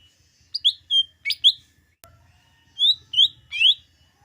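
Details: Lesser green leafbird singing, a recording used to rouse green leafbirds before contests: loud clear whistled notes sliding downward, given in quick pairs and a triple, with a soft low hum beneath.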